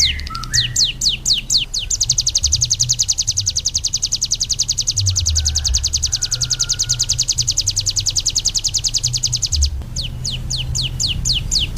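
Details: Ciblek gunung singing, presented as a vocal tutor for other birds: rapid series of sharp high descending notes that merge into a long fast buzzing trill, then separate notes again. Low background rumble.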